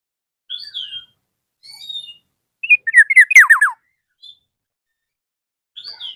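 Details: Black-naped oriole calling out to a rival: thin high whistles, then a loud fast run of descending fluty notes, followed by quieter high whistles after a pause.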